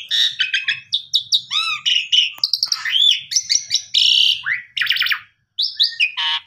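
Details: Asian pied starling song used to coax a silent bird into singing: a dense, varied run of whistled slurs, rising and falling notes, buzzy harmonic bursts and rapid chatter, with a brief pause near the end.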